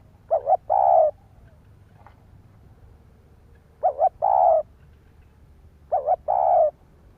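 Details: Spotted dove cooing to stimulate other doves, three phrases in about seven seconds, each a brisk double note leading into a longer mellow coo, with soft background noise.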